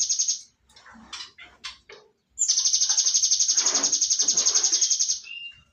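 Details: Cinereous tit: short chirps and scratchy notes, then a sustained rapid buzzing trill of high, even pulses lasting about three seconds, ending in a brief lower whistle.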